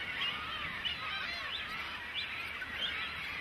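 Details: Young great cormorants pestering parents for food, giving a steady chorus of shrill, quavering squeals about one and a half per second, many birds calling over one another.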